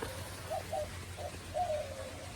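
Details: White-winged doves calling in an aviary: soft, low hooting coos in a short series, two quick notes then a longer drawn-out phrase, with a low rumble of background noise.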